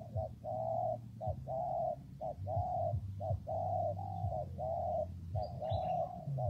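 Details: Repeated cooing of a spotted dove in rainy, windy weather: paired short notes and then a steady, flat, hollow coo, about once a second. A continuous low droning hum sits beneath.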